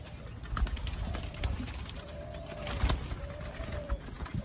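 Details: Spotted doves in Thailand, a group including some young birds, recorded 19 September 2023; two drawn-out, even, low hollow coos, fairly faint, over constant background rumble and scattered clicks.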